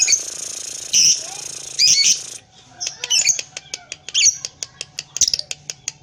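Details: Paud lovebird, tail moving, sings the long 'ngekek' chatter: harsh, high, squeaky trills in short bursts, with a hiss of noise at the start and a run of sharp ticking clicks after.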